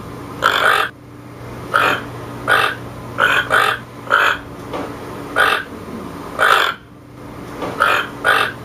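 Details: Long series of around twelve harsh, grating croaks from a toucan, irregularly spaced, sometimes doubled, over a constant low hum.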